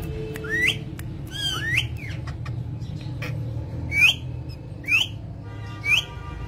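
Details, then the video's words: Pet parrot giving five short, bright upward-sweeping squawks spread irregularly through the clip, each sharp and piercing, separated by quiet gaps with low background rumble. "Parrot Talking"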